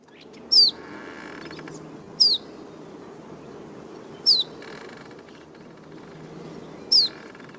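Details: Iberian Chiffchaff call: four short, high descending 'piu' notes, unlike the Common Chiffchaff's rising call, spaced about two seconds apart, over a faint hiss.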